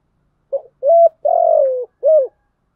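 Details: Spotted dove cooing, played as a lure to draw wild doves: four hollow, low coos in quick succession, the third drawn out and gently falling, with a short first note and a rounded final coo; no other sounds.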